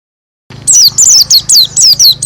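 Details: White-eye singing loudly with open beak in the roll tembak style: after a short silence, rapid bursts of high, thin, sweeping whistled notes, each phrase slurring downward, repeated about six times in under two seconds over a low hum.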